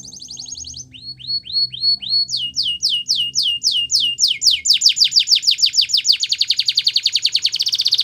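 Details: Belgian canary song played for training canaries to sing: a few slow down-slurred whistles, then a run of quicker sweeping notes speeding into a dense, rapid high trill; faint low hum underneath.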